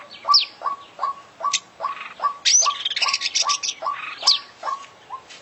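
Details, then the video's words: International champion oriental magpie-robin singing an 'isian' song: low downslurred notes repeated steadily about twice a second, broken by high falling whistles and a burst of fast scratchy twittering. "Full Isian Juara Internasional Burung KACER Gacor"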